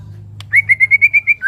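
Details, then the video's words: White-rumped shama singing beside water: a string of seven clear, evenly spaced whistled notes on one pitch, ending in a rising slurred whistle, over a low steady rumble. "Suara KICAU MURAI BATU dengan Suara Air"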